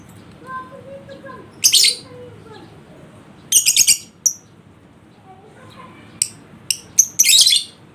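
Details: Lovebird sounds used as a lure to spur a reluctant bird into ngekek: scattered bursts of shrill, scratchy chatter and single high chirps between quiet gaps, with faint low tonal sounds early on.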